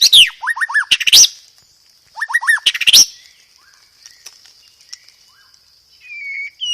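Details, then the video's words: Loud, clear white-rumped shama song with sparrow-fight imitations and rapid-fire rolls. Two bursts of fast descending trilled notes topped by sharp upswept whistles, then scattered soft chips and a short level whistle, over a constant high whine. "PANCINGAN SUARA BURUNG MURAI BATU isian gereja tarung, full materi roll tembak"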